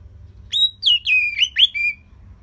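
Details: Orange-headed thrush phrase played for training other birds: a smooth chain of clear whistles, each rising then falling, flowing together for about a second and a half.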